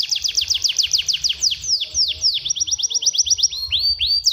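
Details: Canary tutor song meant to make young canaries sing loudly and roll: fast trains of steep descending whistled notes, several per second, shifting to slower rising upslurs and sweeping whistles.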